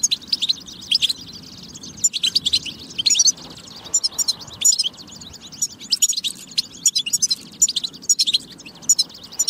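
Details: European goldfinch singing a tabtaba-style song meant to stimulate goldfinches to sing and get ready: rapid bright twittering bursts with liquid trills and buzzy notes, separated by brief pauses, over a faint low background hum.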